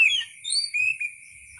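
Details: Oriental magpie-robin (kacer) song used for tutoring other songbirds: a few brief clear whistled notes, one high and sliding, over a steady high-pitched background tone.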